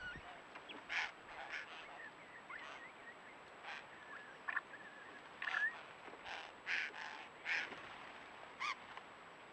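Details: One of many Spiny-cheeked Honeyeaters (Acanthagenys rufogularis) in the Mallee gives harsh, raspy bursts at an irregular pace of about one a second, with faint gurgling whistles between them over a thin, steady high hiss.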